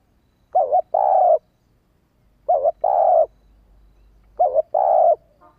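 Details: Spotted dove hen's urging call (thúc), aimed at quickly provoking male doves to answer: three evenly spaced low double coos, each a short wavering lead note then a longer smooth hum, otherwise quiet.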